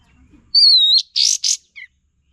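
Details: Olive-winged Bulbul lure sound for training songbirds: a long level whistle followed by two harsh, buzzy notes and a short, lower chirp.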